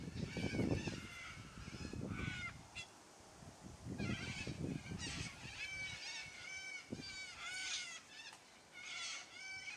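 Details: Yellow-crested cockatoos in a noisy flock, loud squawking: repeated harsh, grating screeches from several birds overlapping, some rising and falling, over low rumbling background noise.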